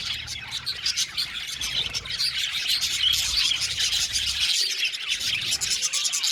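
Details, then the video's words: Budgerigars, 70 pairs housed as a colony in an aviary, give rapid, overlapping tweets and trills in a steady bright chorus; low rustling continues beneath most of the clip. "Beautiful Budgies chirping sound"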